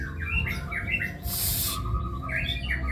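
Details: White-rumped shama in kebyok song style giving short whistled phrases that bounce up and down, with a brief harsh rasp midway and a steady low hum underneath.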